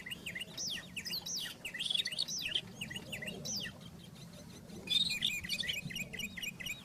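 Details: Wild rufous-tailed scrub robin in full song: dense, looping whistled phrases that rise and fall rapidly, broken by short pauses, with scattered sharp ticks and a soft low background drone.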